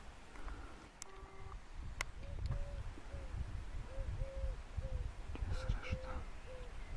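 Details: European turtle doves, an endangered species, two or three filmed from far away at an open feeding spot with old chaff near Brzeg Dolny, Poland; soft low purring in short runs, about two per second, over heavy wind rumble, handling noise, faint beeps.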